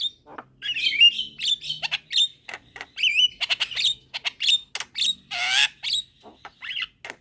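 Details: Javan myna, a young bird calling its mates at midday, with other mynas responding; varied chattering of bright warbled whistles, clicks and a loud harsh screech near the end.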